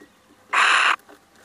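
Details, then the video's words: One loud, grating screech of roughly half a second from a male little owl that has come visiting, with a calm, quiet backdrop. "Mannetje steenuil komt even buurten"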